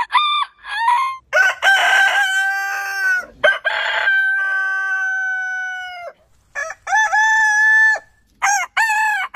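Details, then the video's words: Heritage-breed roosters crowing back to back: brief rising notes, then a long, steady crow of about four seconds, followed by several shorter bent crows. "Chicken Crowing"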